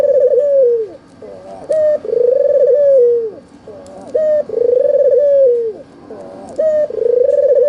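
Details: Red-eyed albino white Barbary dove cooing as a lure for doves reluctant to sing: repeated phrases of a brief upward note then a drawn-out, vibrating, descending coo, four phrases in under eight seconds, in a quiet indoor setting.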